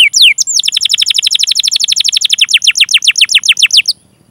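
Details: Canary song for training and stimulating other canaries to sing: two sweeping whistles lead into a fast rolling trill of sharp descending notes that gradually slows before stopping.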